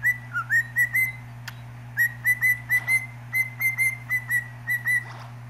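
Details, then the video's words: Pet cockatiel singing indoors while interacting with a cat: a steady run of clear, high whistled notes repeated several times a second, evenly pitched with slight upward slurs, over a constant low electrical hum. "A Cockatiel Talking To A Cat"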